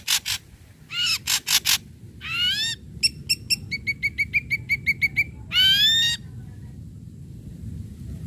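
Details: Ashy Drongo in a lure recording that sets other drongos singing: harsh broadband rasps, rising overtone-rich whistles, then a fast rattle of about ten short repeated notes and a final ringing upsweep, against faint low noise.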